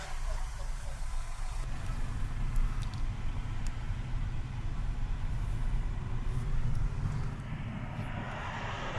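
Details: A vehicle engine rumbles steadily throughout, with a brief hiss of air near the end and no animal sounds.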